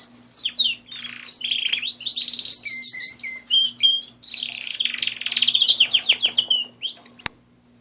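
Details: Canary singing indoors: a long varied phrase of swooping whistles, rapid trills and rolling pulsed notes, ending with a sharp click, over a low steady hum.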